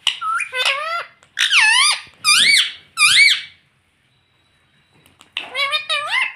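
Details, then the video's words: Pet parrot indoors saying "mummy": bright, harmonic, wavering syllables in a burst of five, a quiet gap, then another rapid run of warbling speech-like notes. "Parrot talking papa || mummy bolne wala tota || Pablo Parrot Mummy || parrot talking mummy"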